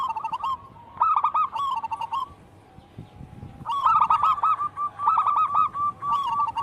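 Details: Local wild zebra doves in energetic song: bursts of quick, bubbling coo notes in rolling runs, a near-silent gap midway, then overlapping phrases resuming strongly.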